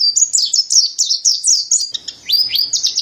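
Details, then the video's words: Mountain white-eye (pleci dada putih, montanus) singing a fast continuous run of high, sweet chirping notes, each slurring down then up, repeated several times a second; a brief low hum under the second half. "Terapi Burung Pleci Dada Putih Gacor | Masteran Pleci Montanus"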